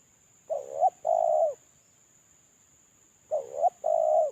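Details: Lure call of a male spotted dove that is molting: two clear phrases about three seconds apart, each a pair of brief coos then a sustained mellow coo, with quiet gaps between.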